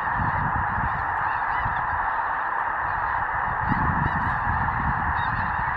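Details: Steady clamour of a large snow goose flock stopping to feed in fall grain fields near Outlook, Saskatchewan; thousands of honks blend into one constant chorus over a low rumbling background.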